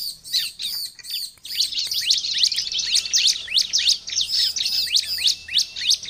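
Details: Energetic Bar-winged prinia singing compiled for luring wild birds: a few spaced chirps, then a continuous stream of high, overlapping, scratchy notes repeated several times per second.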